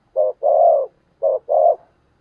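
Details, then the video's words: Spotted dove used as a decoy bird, cooing in two low paired phrases, a short note followed by a longer drawn-out coo, repeated twice. "Tiếng Chim Cu Mồi THÚC GÙ"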